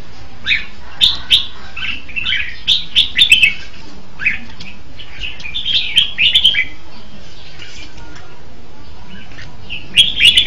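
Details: Red-whiskered bulbul singing: short, bright, warbled whistled phrases in bursts, with quick chirpy notes clustered around three seconds and again near six and ten seconds, separated by quiet pauses.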